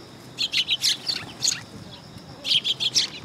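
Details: Sparrows coming onto a raised platform at a Tenmangu shrine, 3 September 2022. Two quick series of chattering chirps, each of five or six notes, separated by a short gap.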